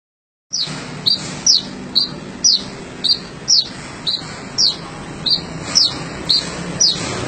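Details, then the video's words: Sogon bird singing in lively gacor style: sharp high descending whistled notes alternating two types, about two per second, steady and loud over a faint low background hum. "Burung Sogon gacor"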